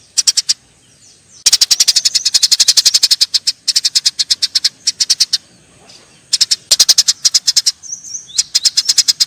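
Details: Eurasian tree sparrows fighting, giving dense bursts of rapid, shrill chirps in quick rattling volleys separated by short silent gaps.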